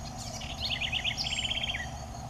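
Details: Southern house wren (Troglodytes musculus) giving a cheerful, melodious song: a quick run of bright chattering notes, then a faster, evenly spaced trill of about eight notes, over a steady low background hum.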